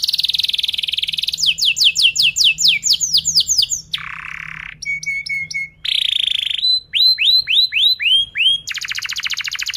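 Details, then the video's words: Canary song in the tight-roll ngerol style used to teach young canaries: a buzzy high trill, sweeping chirps, a low harsh buzz, steady pure tones, then a fast rattling roll, each phrase changing abruptly. "KENARI GACOR PANJANG Rol Rapat EMOSI Cuit cuit Ngerol AMPUH utk Pancingan kenari paud belajar bunyi"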